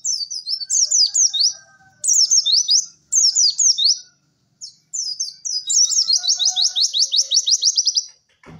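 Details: White-eye song for training other birds: clusters of sharp high chirps separated by brief gaps, ending in a long, fast, even trill.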